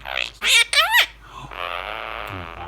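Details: A pet Quaker (monk) parakeet talks in short, bright, high-pitched bursts of mimicked speech, with phrases such as 'I love you', 'good boy' and 'night night'.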